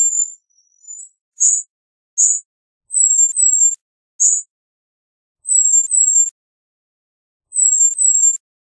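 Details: Cedar waxwing uttering very high, thin seee notes, some short sharp slurs and some paired drawn-out whistles that fall slightly, spaced irregularly with quiet gaps between.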